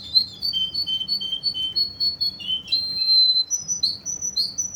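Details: Kuwaiti Russian canary delivering a fast string of clear whistled notes that alternate in pitch, followed by a sustained pure whistle and bright chirping phrases.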